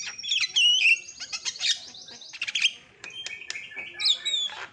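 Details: Javan myna lure recording to make a silent bird call within seconds: rapid chattering of slurred whistles and scratchy notes, a short pause, then sparse clicks and a final squeaky phrase.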